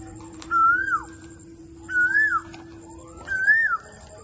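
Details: Three clear whistled calls from an Indian ringneck parakeet, each arching upward then falling away, spaced about one and a half seconds apart, with a quiet background hum.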